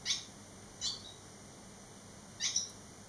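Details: Fledgling barn swallows eleven days out of the nest, three young back at the site; three brief high sharp chirps spaced roughly a second apart, otherwise quiet.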